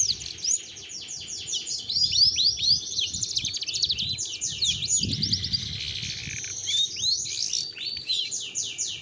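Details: An adult female domestic canary in strong breeding condition sings a roll: rapid high trills and sweeping whistled notes in quick runs, broken and soft, with faint low room noise beneath.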